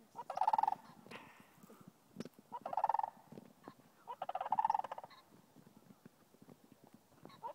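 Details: Sandhill cranes in a field near the Rio Grande Nature Center State Park, Albuquerque, NM, 18 November 2012, one group calling to another; three loud rattling bugle bursts spaced about two seconds apart over a murmur of distant calls.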